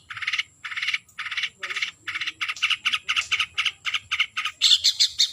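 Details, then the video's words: Long-tailed shrike calling a rival with grating, buzzy rasps, first spaced widely and then coming faster and shorter, about fifteen bursts, the last ones higher and sharper. "Suara Burung Cendet Memanggil Lawan"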